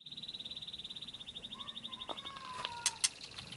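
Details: Murai, a captive songbird, played to provoke a reply; a steady rapid trill of short notes near mid-high pitch runs for about two seconds, followed by brief whistled slides and sharp clicks.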